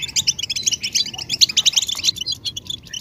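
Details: European goldfinch twittering used to rouse males into song: a lively run of sharp, high, tinkling chirps for two seconds, then fading to a few scattered notes.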